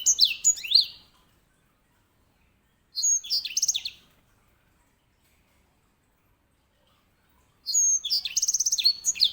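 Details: Three separate song bursts from a grey singing finch, each a quick jumble of high whistled notes and slurs, the last ending in a rapid even trill, with long quiet gaps between phrases.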